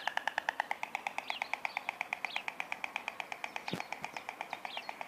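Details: Nesting white stork giving a steady, rapid series of dry knocking pulses, roughly six each second, lasting throughout, while a few thin high chirps from smaller birds cross the rattle.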